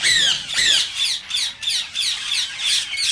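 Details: Green rose-ringed parakeet voice, used to encourage other parakeets to sing and mate: a fast string of harsh, rasping screeches, roughly three per second, each loud and slightly descending.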